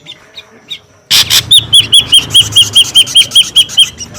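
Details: Lure call of an ashy drongo, noisy: faint chirps, then an abrupt harsh burst followed by a steady, rapid series of about fourteen loud, high, down-curving whistled notes.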